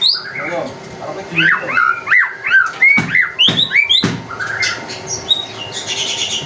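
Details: Vigorous white-rumped shama song played to provoke other birds into singing. Rich whistled notes slide up and down in quick succession, mixed with harsher chips and a few sharp clicks. A bright, scratchy flourish comes at the end.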